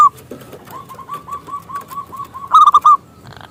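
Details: Local zebra dove used to lure rival doves to sing: quiet, evenly spaced mellow coos leading to a loud stuttering burst near the end.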